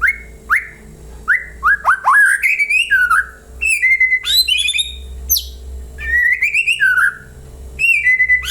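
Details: Lure song of a white-rumped shama meant to make other birds answer: varied rich whistled phrases, upslurred and downslurred notes mixed with quick high twitters, nearly continuous and loud, a low hum underneath.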